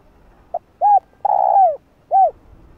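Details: Spotted dove lure calling, gáy gọi style: short soft note, rounded coo, drawn-out falling coo, and a final arched coo, one clean phrase over faint low background.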